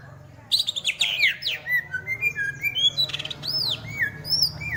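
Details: Greater green leafbird singing a varied string of loud whistled notes, sharp down-slurs and arched phrases, delivered rapidly after a brief quiet start, over a steady low hum.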